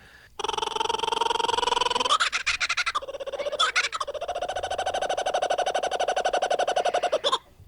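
Laughing Kookaburra giving its loud, rollicking laugh: a rising hoot that breaks into rapid, stuttering chuckles and repeated ha-ha notes, sounding almost monkey-like.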